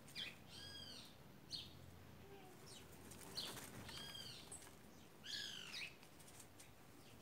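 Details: A gang of white woodpeckers taking over, giving loud nasal, arched calls with rich overtones in three bursts spread across the clip, with short sharp notes between them against a low background hum.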